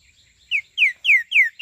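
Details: Green-winged saltator, known as trinca-ferro, in 'treme terra' song style, dated 29 May 2025: a strong run of four clear whistles, each sliding downward, evenly spaced, with a fifth note just beginning. A faint steady hum runs behind it.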